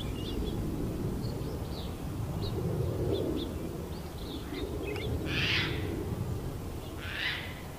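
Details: A pair of Band-tailed Pigeons at Terranova on 2 June 2017 gives low, owl-like hoots under a steady low rumble, with thin high chirps from other birds and two brief rushing bursts.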